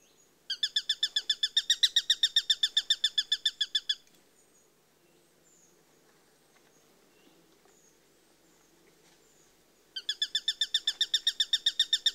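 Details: Two bursts of rapid, evenly spaced high piercing notes from a Eurasian sparrowhawk, each about three and a half seconds long, separated by six seconds of quiet background.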